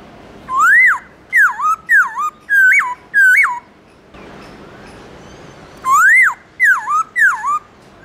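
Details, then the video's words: Black-throated laughingthrush morning song in a forest-standard voice. Loud whistled phrases sweep up and then down, arriving in quick bursts of four to five notes. A silent pause of over a second comes before the next run of looping notes. "Khướu bạc má hót GIỌNG CHUẨN RỪNG buổi sáng cực hay"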